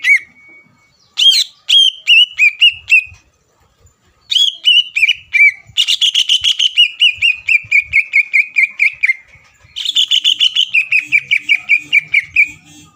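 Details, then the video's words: Vigorous song of a greater green leafbird meant to heat up an opponent leafbird's temper before competition; scattered sharp notes open into long, rapid chattering runs of whistled syllables with brief pauses. "CUCAK IJO GACOR MEMBUAT CUCAK IJO LAWAN PANAS EMOSI DAN STABIL AGAR NGOTOT"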